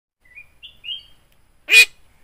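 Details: A talking yellow-eyed Javan myna imitating human speech gives three soft, thin whistled notes, then one loud, harsh, rasping syllable.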